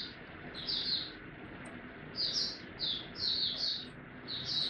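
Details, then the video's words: Oriental white-eye in ramp-up form: short bursts of high, sweet twittering notes, repeated in quick groups, over steady hissing background noise. "Mata Puteh Dagger ramp up form buka tiong aw sing"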